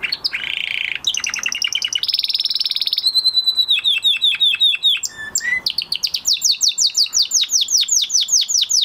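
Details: Male canary in full song after moulting: a harsh buzzy opening, rapid rolling trills, a run of repeated falling notes, then a quick chopped series of rising and falling whistles, all high and bright.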